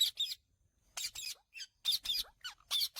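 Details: Indian ringneck parakeet calling: harsh, high, grating squawks given in pairs of rapid bursts, three clusters about one second apart, with short silences between.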